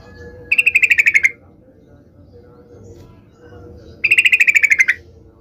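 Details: Yellow-vented bulbul singing steadily to draw angry answers from other bulbuls: two fast, evenly pulsed trills of about twelve beats each, slightly falling, separated by a pause, over a steady low background hum.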